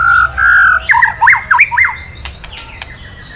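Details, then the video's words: White-rumped shama kretekan sound, used to stir a male into singing and to draw out a quiet bird: steady mid-pitched whistles, then a rapid run of sharp zigzag notes and a few dry clicks. "Suara KRETEKAN BURUNG MURAI BANGKITKAN EMOSI MURAI JANTAN KELUARKAN ISIAN! MURAI DIAM JADI NYAUT"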